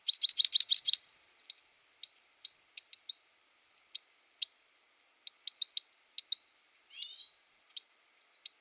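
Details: Grey-headed goldfinch: a dense second of fast twittering, then sparse short chips at uneven intervals, with one buzzy slurred note near the end.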